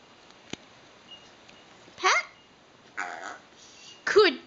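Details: A male pet eclectus parrot talks indoors, giving three separate voiced, word-like utterances about a second apart. The last is loudest, with a rising then falling harmonic contour. A sharp click is heard beforehand.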